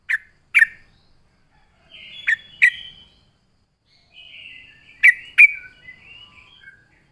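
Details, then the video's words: Bulbul lure sound from a vigorously singing yellow-vented bulbul: sharp, clipped chips in pairs, separated by soft, drawn-out warbling phrases. "suara burung trucuk gacor RAJA PIKAT pandai memancing bunyi trucukan bahan dan ombyokan"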